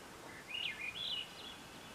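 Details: In woods at the end of June 2024, one of two Swainson's thrushes (Catharus ustulatus) present sings a brief run of fluty, wavering whistled notes that climb slightly in pitch, heard faintly over a soft outdoor hiss.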